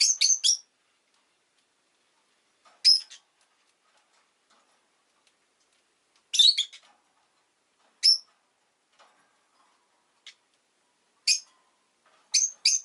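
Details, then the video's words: Pet rosy-faced lovebird calling in short clusters of two or three sharp, high-pitched chirps, separated by quiet gaps of a few seconds, with occasional faint ticks in the background. "Lovebird Chirping Sounds"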